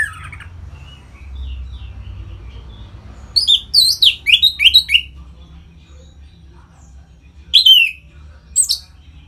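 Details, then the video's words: Captive orange-headed thrush giving 'ngeplong' song used to excite other birds into breeding condition. After a quiet start, a burst of five sharp, twisting whistled notes, then two separate notes a few seconds apart. "Suara Ngeplong ANIS MERAH Gacor Memancing Burung Agar Birahi dan Lanjut ke Tahap Teler"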